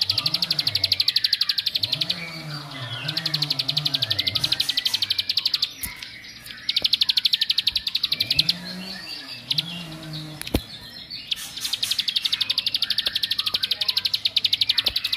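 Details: Provocative bar-winged prinia singing that stirs rival birds: four bursts of quick, evenly repeated high piercing notes, each lasting two to three seconds, separated by gaps with soft lower warbling sounds beneath.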